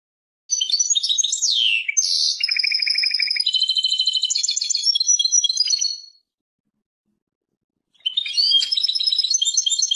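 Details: European goldfinch from Persia singing: a rapid tinkling, twittering phrase with buzzy trills and a sliding whistle, running about five seconds, a pause, then another bright chattering phrase begins; no other sounds.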